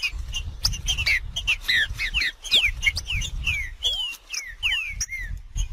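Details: Green-winged saltator in nature giving macheando song: a busy stream of slurred whistled notes, some rising steeply and others falling, packed with quick chirps, over low background rumble.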